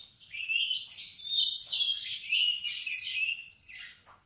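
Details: Canary singing in the morning, a brief phrase of sliding whistles and quick trills, rising into a loud warbled middle and fading with a lower dropping note at the end.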